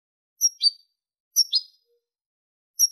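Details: European goldfinch in the clean 'limpio' song style, 2023: three brief, sharp, high-pitched twittering phrases, each a quick cluster of tinkling notes, in a quiet setting.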